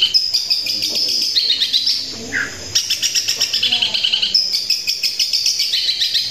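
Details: Cendet, or long-tailed shrike, delivering a 'tembakan kuntilanak' style song. Dense bursts of piercing high notes come in quick pulses, with a brief sliding whistle midway and softer chatter underneath.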